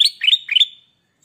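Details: A lively, vocal golden bulbul (kutilang emas) gives a quick, bright phrase of three or four slurred, chirpy notes lasting under a second, followed by silence.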